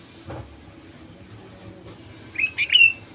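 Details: Lure song from a sooty-headed bulbul to coax other bulbuls to sing: one short, liquid, slurred phrase near the end, over a low steady background hum.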